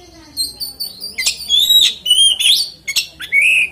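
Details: Song of an oriental magpie-robin meant to set other magpie-robins singing; rich whistled slurs, sharp chips and rising buzzy notes follow each other quickly, with faint background hum.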